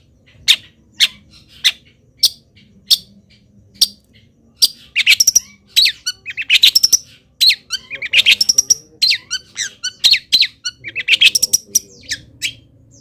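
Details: Long-tailed shrike, a local bird singing strongly while molting, delivers a song packed with imitated wild-bird calls. Steady sharp chirps every half second build into dense, rapid rattling bursts of varied high notes.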